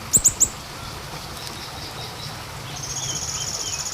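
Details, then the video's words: Three rapid, piercing high notes from a small minivet, used as a lure, followed by quiet and then a steady high buzzing tone in the background. "pancingan untuk siri siri kecil"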